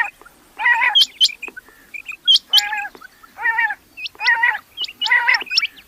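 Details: Rain quail: harsh nasal rasps repeat at roughly one-second intervals, with crisp high paired whistles scattered between them.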